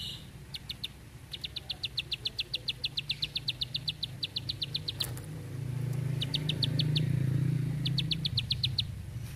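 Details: Bar-winged prinia singing a long, tight train of about twenty rapid, even clicking notes, then shorter runs after a pause; a rising low engine-like drone swells in the background.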